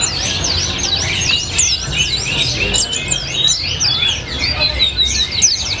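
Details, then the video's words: White-eye (pleci) singing in the "rasa colibri", "gacor ngalas" style: a rapid, unbroken high twitter of sweeping, V-shaped and falling whistled notes, dense and overlapping throughout, with a low background hum. "Burung Pleci Rasa Colibri, Gacor Ngalas Doping Pleci"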